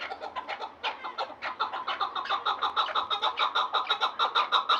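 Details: Chukar of Vanj giving repeated raspy chuk clucks about three a second, starting softer and irregular, then building into a louder, steady rhythm, with a low rumble beneath.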